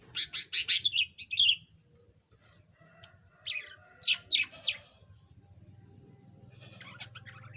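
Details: Yellow budgerigar, a pet bird said to have been mute before and now starting to chatter, giving bursts of scratchy, buzzy chirps and warbled notes in two clusters separated by a pause, with a low hum in the background.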